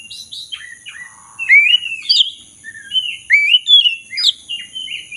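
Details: Black-throated magpie-robin singing, played as a lure to get a silent caged bird singing again: a lively run of varied clear whistles, slurred up and down, with short chirps and a brief buzzy note, delivered almost continuously over a faint high hum.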